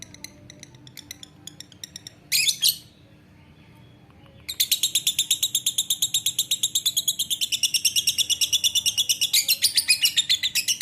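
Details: Lovebird in ngekek style. Scattered faint ticks and a short shrill burst come first, then a pause. After that comes a long, continuous, high-pitched chattering trill of rapid rattled notes lasting more than six seconds.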